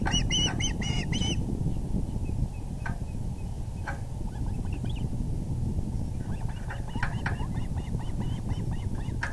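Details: Osprey nest, 6:30 pm EDT on April 6, 2020, the male bringing a big fish: loud bursts of intense, shrill, harmonic chirps, then quieter repeated cheeps, over a continuous low roar of wind.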